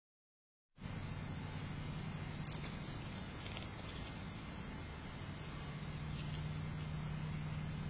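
Steady low rumble of passing vehicle traffic begins after a short silence and continues throughout, with broadband road noise and no animal calls.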